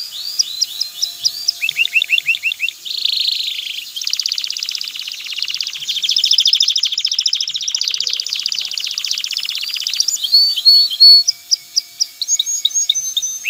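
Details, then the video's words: A male canary sings to stimulate a female to mate and build a nest, mixing repeated looping whistled notes with long dense rolling trills and fast chattering runs, ending in bright upslurred notes. "اقوى تغريد ذكر الكناري لتجهيز انثى الكناري للتزاوج و تحفّزها على بناء العش"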